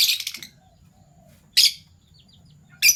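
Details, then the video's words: Fischer's lovebirds, a violet pied and a gold opaline euwing, chirping in the morning with harsh, shrill, broadband calls: a rapid burst at the start, then single sharp notes about every one and a half seconds, with faint thin whistles between. "Lovebird Chirping Sounds"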